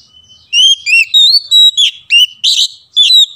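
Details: Song of the Oriental magpie-robin (kacer) meant to draw a mute bird into singing: a long soft whistle, then loud, crisp whistled notes in rapid bursts, sweeping and bending in pitch, evenly spaced.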